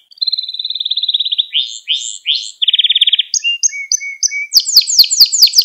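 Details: Singing canary in a training recording for young birds: a rapid rolled trill, swooping slurred notes, a low rattling roll, short high whistles, then quick downward sweeps mixed with sharp clicks.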